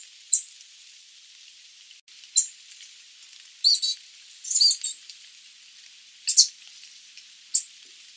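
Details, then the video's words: Sooty babbler calling with scattered, very high, scratchy chips and short chattering bursts spaced irregularly over several seconds, some doubled, against faint background hiss. "Tiếng chim Khướu Đá Mun - Sooty Babbler, Stachyris herberti [Bird Sound]"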